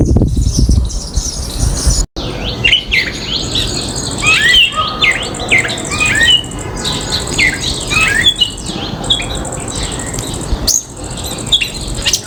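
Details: Common myna visiting a backyard home garden in India, giving a rapid, varied jumble of short whistles, slurred squeaks and harsher chattering notes, with a steady high hiss behind and brief breaks in the sound.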